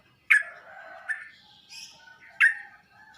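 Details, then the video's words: Sooty-headed bulbul sound played to get other bulbuls answering: two strong, snapping downslurred notes about two seconds apart, with softer buzzy and hissing notes filling the gap. "Burung trucuk anda bakal nyaut dan ngropel seketika saat di masteri dengan suara trucuk ini"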